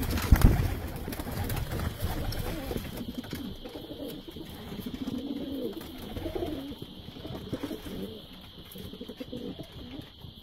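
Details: Pigeons offered for sale give low, rolling coos that swell and fall in wavering phrases through the middle of the recording, over a steady high whine and a loud knock at the start.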